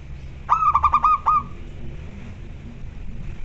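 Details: Home-kept local zebra dove in lively 'koar koar' calling, birds answering one another: a single burst of roughly six fast, bubbling coo notes just over a second long, followed by near silence and faint low hum.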